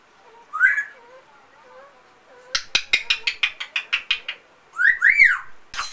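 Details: Pet male African grey parrot imitating a companion amazon parrot: a rising whistle and faint low notes, then a rapid run of a dozen sharp clicking chatter notes, ending with loud rising and falling whistled squawks.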